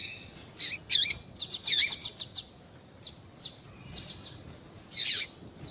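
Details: A female double-collared seedeater calls to get a male singing: a fast run of high clipped chirps, then softer spaced ticks and one final loud, slurred chirp.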